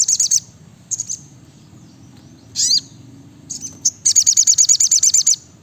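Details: Sogok ontong or sriganti, the brown-throated sunbird, in lively 'gacor nembak rapat' song: scattered high chirps and a sweeping note, then a fast, tightly packed run of sharp repeated notes lasting over a second.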